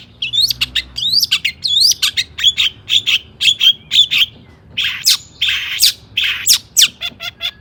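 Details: Long-tailed shrike singing in an agitated style to make other shrikes sing: rapid whistled upslurs and chirps at first, followed by louder harsh, rasping bursts.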